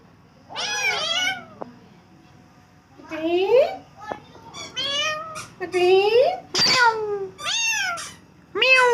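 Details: Pet green ringneck parakeets imitating human talk as they chatter to each other during a squabble; clear, voiced speech-like phrases with rising and falling tones, about six in nine seconds, separated by short pauses.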